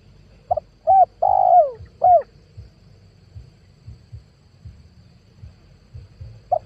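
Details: Spotted dove lure call, recorded in 2022 and used for attracting wild doves for trapping: one phrase of two short hooting coos, then a long, drawn-out falling coo and a final short coo, followed by quiet with a low background hum.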